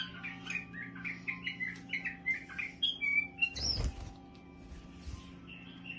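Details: Bulbul singing its full song: rapid, chattering chirps and a few longer whistled notes, somewhat quiet, with a brief rustling burst midway and a steady low hum throughout.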